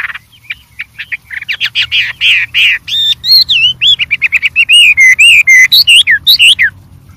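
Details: Varied song of a white-rumped shama in the wild: soft scratchy notes build into a fast chattering trill, then loud clear whistled notes swooping up and down before ending.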